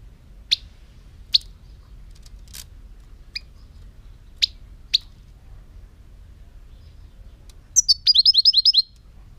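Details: European goldfinch singing: scattered sharp high chirps spaced about a second apart, then a fast burst of rapid buzzy twittering notes near the end, against a quiet background.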